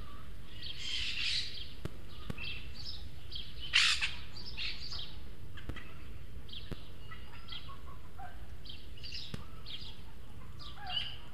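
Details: Juvenile Eurasian magpies searching for food at a feeder in El Retiro, Madrid, with two young begging from a more developed companion. Rough, hoarse squawks and raspy chatter come irregularly, one sharp loud screech, over low steady noise and clicks.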